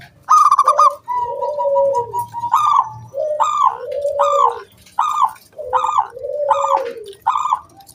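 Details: Zebra dove, a loud local wild bird, used to lure other doves into singing. Short rattled notes, each falling into a lower coo, repeat at a quick steady pace, with a string of even pulses early on.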